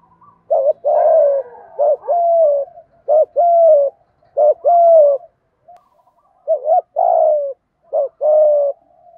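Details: Spotted dove 'thổ'-style 'thúc gù' cooing, played to newly caught captive doves to get them cooing. Repeated phrases of a brief rising-falling double note followed by a drawn-out descending coo, with soft trailing notes and no other sounds.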